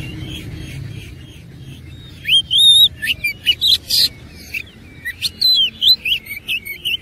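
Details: Oriental magpie-robin in a fighting mood: after a quiet start, a burst of loud whistled and slurred notes mixed with harsh clicks and buzzy fragments, delivered in quick, uneven phrases.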